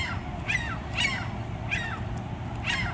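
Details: A pair of gulls squabbling: four loud, harsh, falling yelps spaced about half a second to a second apart, with a constant low background rumble.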